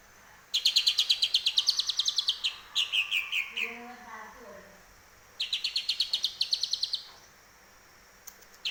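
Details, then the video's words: Home-kept greater green leafbird singing prolifically, its song filled with imitation of the cucak jenggot: bright, rapid chirping bursts of repeated high notes, a lower warbled phrase in between, then another fast chirping run. "Cucak ijo gacor"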